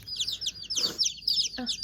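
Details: Newly delivered mail-order mottled Houdan chicks peep in a rapid jumble of high, thin, descending chirps, several overlapping, with a brief burst of human speech in the middle.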